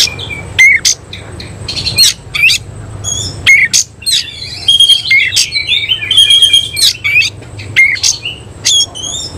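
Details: A semi-Cililin oriental magpie-robin sings with fanned tail, mixing loud sharp chips with sweet whistles and two buzzy rattling stretches, phrases repeating quickly and irregularly over a faint background hum.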